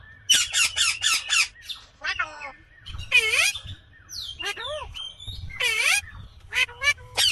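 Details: A quick run of five shrill screeches from an Indian green ringneck parakeet opens, followed by chattering notes and a few loud downward-curving squawks.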